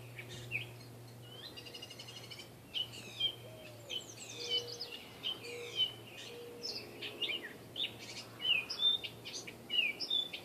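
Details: A catbird, seen hiding in backyard trees in Saskatoon, where it is normally not seen this far north, sings a rambling string of squeaky, scratchy and whistled phrases, about one every second or two, over a steady low hum.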